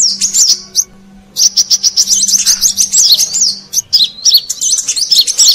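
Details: Brown-throated sunbird lure recording for attracting wild birds: rapid, high, thin chips and twittering notes in dense bursts, with a brief pause near one second and a faint low hum underneath.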